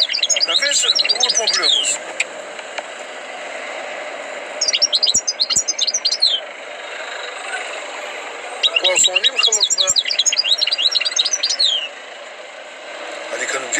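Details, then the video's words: European goldfinch with tutored song, pouring out three long bursts of dense, fast, high twittering and trilled notes, each lasting a couple of seconds, separated by brief quieter gaps. "غناء حسون"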